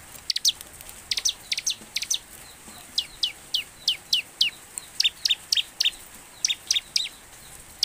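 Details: Bar-winged prinia song played to coax birds into singing, steady series of high, thin, down-slurred chips, often paired, repeated at a fast, somewhat irregular pace against constant background hiss.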